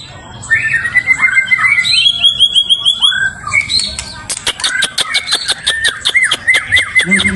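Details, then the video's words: Lure song of a white-rumped shama meant to provoke a rival: slurred whistled phrases rising and falling, then a fast series of sharp clicking notes mixed with bright chirps and further whistles. "pancingan MB cari lawan"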